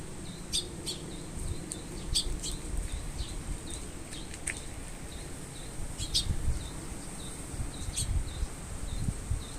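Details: Young Eurasian tree sparrow calling while a parent waits nearby, August 2022. Short high notes repeat steadily every half second, broken by sharp bright chirps, with a constant high hiss and low rumbling background noise.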